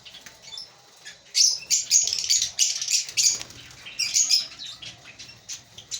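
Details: High, thin chirps and squeaky chatter from a breeding colony of African lovebirds, quiet at first, then a busy run of notes and a second burst after a pause.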